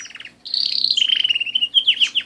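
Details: Canary song beginning with a brief stuttered trill, then after a pause a loud high rolling trill that slides lower into a long chain of rapid notes, ending in several sharp descending whistles.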